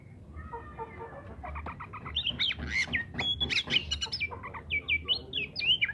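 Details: Oriental magpie-robin song, recorded as a natural voice to prompt silent birds to sing: faint notes at first, then clear whistled phrases and sweet rising and falling slurs grow louder toward the end, over a low background hum.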